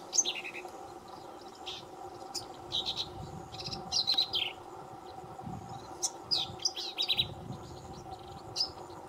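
Black-capped Vireo giving short, high, scratchy bursts of varied notes every second or so, over a steady low background hum.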